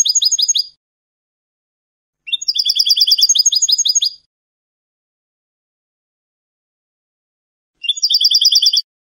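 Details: European goldfinch in Spanish salon-style song (canto de salón): three bursts of fast, repeated high twittering notes separated by silent pauses, the middle burst longest at about two seconds; clean recording.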